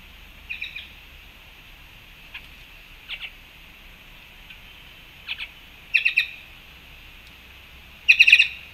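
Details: Black-chested jays at a fruit feeder in Panama on March 2, 2021: scattered short harsh notes, quiet at first, then louder clustered bursts of two to four notes near the end, over a steady high background hiss.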